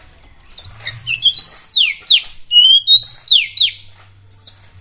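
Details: Energetic Oriental magpie-robin singing to provoke rival birds into song: a fast run of loud, sweeping down-slurred whistles and bright high notes, several per second, above a soft low hum.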